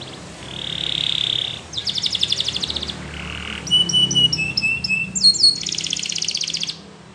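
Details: Singing Belgian canary moving through several distinct tours: a smooth buzzy roll, a rattling pulsed trill, a brief low note, chopped bell-like notes and a final high buzzy roll.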